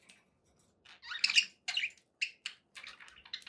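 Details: Pet budgerigars making high, buzzy warbles followed by a run of quick, clicking chirps that trail off softly.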